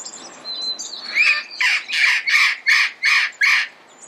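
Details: Red-crowned amazon, also called red-crowned parrot, recorded in early morning in Pasadena: a run of seven harsh, raspy squawks, each about a quarter-second long, given in quick steady succession after faint high chirps from other birds.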